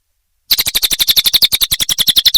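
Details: Cililin song used as a training recording for songbirds such as murai batu, kenari, lovebird and cucak ijo: after a brief silence, a fast run of sharp, high chattering notes, about eight per second, evenly spaced.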